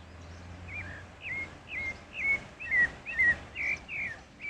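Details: Pale-breasted thrush (Turdus leucomelas) singing in the wild: a steady run of short, clear whistled phrases, each a quick slurred note with a small twist, following one another roughly every half second over a faint low hum.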